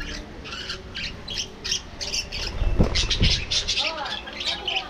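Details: Aviary budgerigars feeding in the afternoon, short bright chirps repeated several times a second with a few rising squeaky notes near the end and two low thumps in the middle.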